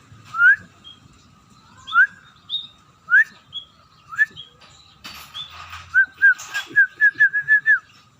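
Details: Scaly-breasted munia beginning to sing actively, giving clear, short, rising whistles spaced about a second apart, then a faster run of eight bright whistled notes near the end.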